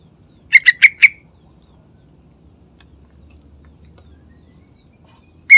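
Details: Sooty-headed bulbul singing in the morning: a quick burst of four bright, bubbling notes near the start, then a single matching note at the end, separated by quiet.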